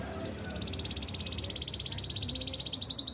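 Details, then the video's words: A Yorkshire canary trains with one long, fast, rattling trill that slowly climbs and brightens toward the end, partly masked by steady broadband background noise. "Yorkshire canary singing! The best canary training song"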